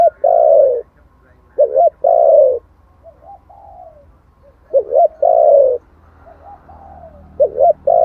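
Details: Spotted dove coos in the 'giọng thổ' voice, intended to make wild doves respond quickly. Repeated loud low phrases of short paired coos and long hooting notes, with quieter trailing coos between them.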